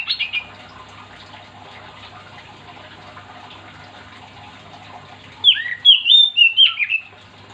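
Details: Oriental magpie-robin (kacer) singing actively to spur other magpie-robins into song: a short phrase at the start, a long quiet gap, then a loud burst of twisting whistles and slurred notes.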